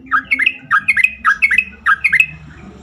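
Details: Sooty-headed bulbul sound used to prompt other bulbuls to respond and sing more often. Quick bubbly phrases of two or three liquid, rising-falling notes repeat four times in under three seconds, clear over faint low hum.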